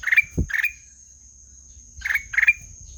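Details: Melodious ruby-throated bulbul (kutilang emas) song: two pairs of short, bright chirped notes, each ending in a quick upward flick, with a pause of about a second and a half between pairs, and faint low rumble beneath.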